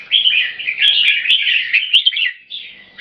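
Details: Two aggressive Red-whiskered bulbuls compete to dominate by singing frequency (butir). A continuous stretch of loud, rich, chattering warbles fades near the end.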